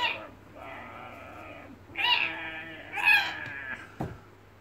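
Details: A 14-year-old Indonesian red lory plays indoors as a pet and gives a string of harsh, buzzing screeches of uneven length, the loudest near the middle, ending with a sharp knock.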